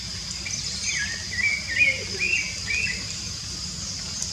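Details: Rufous-bellied thrush singing freely in the wild, giving soft, fluty, warbling phrases that swoop up and down, against constant high-pitched background buzzing.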